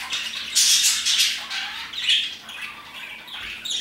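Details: Parakeets chirping around 2pm, giving rasping squawks and high chirps in overlapping bursts, loudest in the first second and a half, then quieter chatter.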